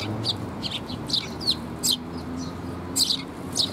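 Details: On 6 May 2021, fledgling Eurasian tree sparrows are fed by adults and give rapid, high, scratchy chirps. Several overlap in quick clusters, with a faint low hum beneath.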